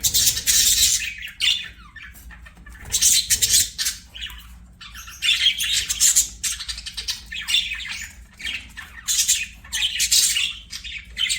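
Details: Several budgerigars singing while playing; harsh, buzzy chattering warble in dense bursts of about a second, separated by short pauses, with quick squawky notes throughout.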